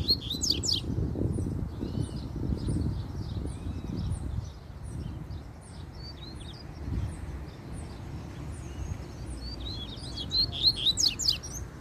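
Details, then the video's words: Spirited wild double-collared seedeater trading song with a rival: a burst of sharp descending strokes and chirped whistles at the start, a quieter stretch, then another fast phrase near the end. Low rumbling noise throughout. "Coleiro Na Natureza Muito Fibrado Troncando Canto"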